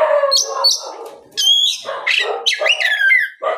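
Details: Afternoon song of an Oriental magpie-robin, played to lure other magpie-robins into answering and singing. Rough, grating notes alternate with clear whistled upslurs and downslurs, with a brief lull partway through.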